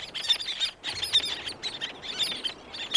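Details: Several black-naped terns calling close by with others in the distance, with wing beats. Rapid bursts of high, chattering squeaky notes come in clusters separated by brief gaps.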